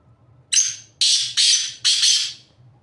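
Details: Harsh, scratchy call of a black francolin perched on top of a rock: one short rasp followed by three longer, buzzy grating notes in quick succession, ending abruptly, with soft low background noise.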